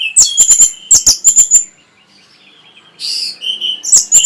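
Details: Orange-headed thrush singing to bring other birds into breeding condition and make them reply: loud clipped high notes in quick bursts, a pause, then a soft whistled phrase and more sharp notes.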